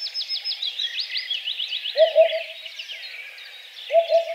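Eurasian Hoopoe gives low, soft hollow 'hoop-hoop-hoop' phrases about two seconds apart, over a busy chorus of high-pitched songbird twittering.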